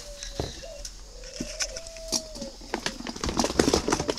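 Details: Spotted dove of a red-billed, yellow-legged form kept caged in Ba Vì, Vietnam, giving one low even coo phrase that rises slightly then fades, followed by rustling, pattering and clicks.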